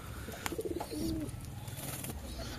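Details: Kept pigeons at a loft where chicks were lost to pox; one low, drawn-out coo lasting under a second, preceded by soft stuttering notes, with clicks and faint background noise.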